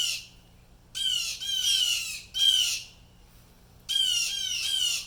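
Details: Several blue jays giving harsh distress calls, apparently disturbed by something unseen; loud raspy squawks in bursts of about one second, repeated in quick series with short pauses between.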